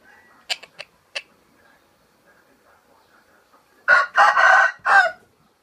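A sun conure gives a harsh, rooster-like crow in several loud, drawn-out bursts after a few sharp clicks.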